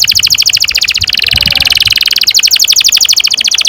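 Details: Canary singing a long rolling trill for training young canaries: steady rapid pulses of high notes, briefly smoothing into a continuous buzz midway, then resuming the pulsed roll.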